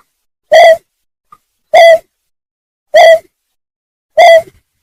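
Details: Greater painted-snipe lure call: four loud, harmonic-rich hoots, each a quarter second long, delivered at a steady pace of about one every 1.2 seconds with near silence between them.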